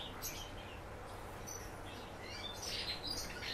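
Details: A young captive common house martin gives soft, scratchy high chirps and twitters over steady low noise, coaxed by its keeper to sing in what is called its first solo concert.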